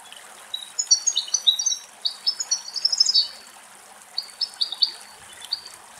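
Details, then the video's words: Adult European goldfinch drinking cool running water at a spring in a Greek forest; high, tinkling twittered phrases in quick bursts, a pause, then a shorter burst of bright notes, over a soft background trickle of water. "Καρδερίνα Μελωδικό Κελάηδημα - Καρδερίνα η Γαρδέλι Πίνει Νερό - European goldfinch song"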